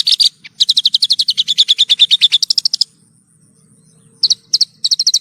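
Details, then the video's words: Horsfield's bush lark song from a tutor recording for cage birds: a long, rapid rattling trill of high chirped notes, then a pause, then short bursts of quick chirps; a faint low hum underneath. "Masteran Burung Branjangan 1 Jam Non Stop"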